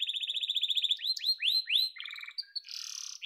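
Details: Yellow domestic canary singing a quick chattering trill, then three upward-swooping whistles, a low rattle and a harsh broad buzzy burst.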